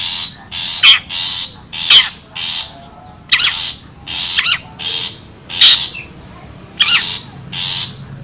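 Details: Wild long-tailed shrike calling, used as a lure to draw birds in; harsh buzzy high bursts repeated about every half second, mixed with sharp squawking notes, over a low rumbling background.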